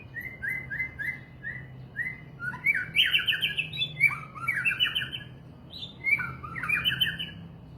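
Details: White-rumped shama song: several short repeated whistled notes first, then fuller tumbling phrases of slurred whistles and high sharp accents, with a constant low hum in the background.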